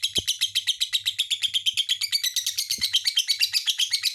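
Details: Lovebird giving a dense, high chattering song of rapid buzzy chirps, repeated about three times a second without pause, with a few faint low thumps beneath.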